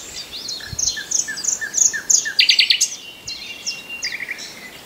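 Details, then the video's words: Common nightingale song made of short high notes spaced evenly, building to a loud cluster of rapid pulses, then a brief lower trill at the end over faint background birdsong. "The best Birdsong movie ever starring the Common Nightingale"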